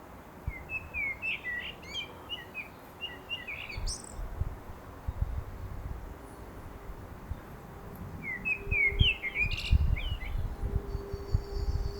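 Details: In a garden in Milton Keynes, a common blackbird sings two fluty warbled phrases several seconds apart, each ending in a thin high twitter, over a steady low rumble of wind or distant traffic.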